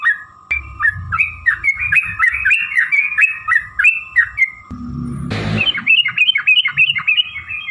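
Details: Long fighting song of a yellow-vented bulbul, meant to draw other bulbuls into answering: quick chains of liquid, up-and-down whistled notes, broken midway by a brief loud rushing noise, then resuming brighter and faster.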